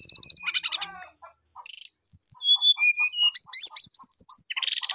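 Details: Calling a rival, a brown-chested jungle flycatcher sings vigorously, its song full of filler phrases: harsh chatter, then a stepped series of pure whistles descending in pitch, a fast high warbling trill and a final noisy burst.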